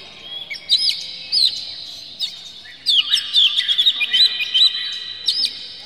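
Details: Agitated Oriental magpie-robin with spread tail, singing to trigger song in other magpie-robins: isolated sharp high notes, then a warbling sequence of quick, sliding whistles and chirps, ending with a single bright note.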